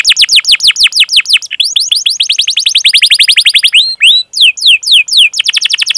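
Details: Canary master song used to stimulate young or silent canaries into singing: long, energetic rolls of rapid descending chirps, repeated several times per second, broken by brief pauses and changes of trill speed, with no other sounds.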